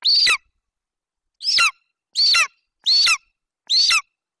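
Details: A young golden eagle at its nest in Bucovina on 27 July 2021 stands over a Eurasian hare its mother brought, vocalizing until she leaves, giving five high, thin yelps that slide sharply downward at uneven intervals of about one second.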